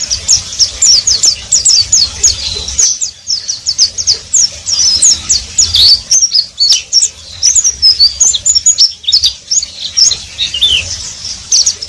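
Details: Oriental white-eye ngeriwik song: fast runs of very high, sharp chirps, several a second, then looser warbled phrases of slurred squeaky whistles, continuing with little pause.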